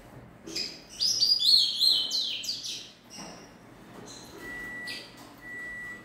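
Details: A three-month-old rufous-collared sparrow chick sings a rambling run of high, bright chirps and warbles.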